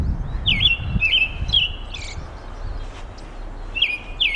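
American robin giving a quick run of high, slurred, slightly falling notes, about two per second, then a pause and two more, over low rumbling background noise.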